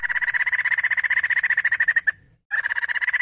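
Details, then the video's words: Female white-crested laughingthrush giving a fast, even train of buzzy, pulsed notes at a steady mid pitch, around fifteen per second, breaking off briefly before resuming at the same pace; no other sounds. "Poksay Jambul Betina Edan"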